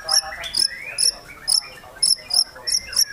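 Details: White-rumped shama singing with high excitement, sharp high double-pitched chips repeated roughly every half second with soft lower warbling between them.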